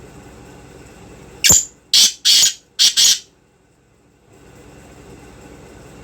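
A black francolin gives a harsh, grating phrase of four rasping notes after a sharp opening click, over a low steady hum.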